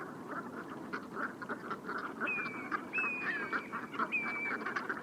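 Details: Flock of wintering brent geese at dusk on the Bassin d'Arcachon, rising tide, recorded with a parabolic microphone after returning from disturbance by a boat; murmuring nasal chatter, with a few clear high whistles from another bird midway.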